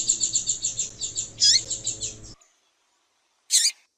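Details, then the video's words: Female double-collared seedeater giving calls meant to excite a male: a fast pulsed high trill with an overlapping sharp chirp, then silence and one more short high chirp. "Fêmea de Papa capim piadeira para Esquentar e foguear Papa capim"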